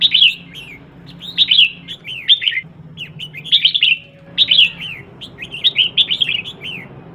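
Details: Caged female red-whiskered bulbul used as a lure to excite males into singing: short clear whistled phrases, each a quick chain of looping up-and-down notes, repeat in bursts about every second with brief gaps and faint background hum.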